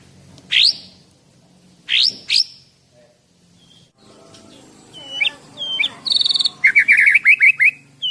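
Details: Loud song of a caged 11-month-old Medan white-rumped shama: sharp rising whistles and upslurred notes, then varied clear phrases ending in a fast series of bright chipping notes.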